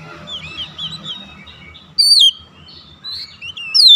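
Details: An Oriental magpie-robin calls out to other birds, which respond. A single loud, downward-sliding whistle stands out, and another loud whistle begins at the end. Softer chirps and whistles continue underneath.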